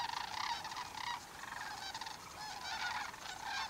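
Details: A flock of sandhill cranes stopping over in farm fields during migration at Sauvie Island near Portland, Oregon, or Columbia NWR near Othello, Washington, gives overlapping rolling, trumpeting rattles in a steady, dense chorus.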